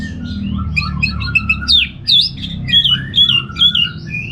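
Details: Orange-headed thrush from northern Bali, kept as a songbird, pouring out a lively stream of loud whistled and slurred notes, repeated rapidly with varied pitch, over a low background hum.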